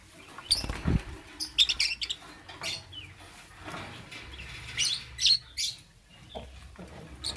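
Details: Lovebird chirping in the morning, bursts of shrill squeaky notes and twitters, busier at the start and near the end, with a soft thud and a quieter middle stretch.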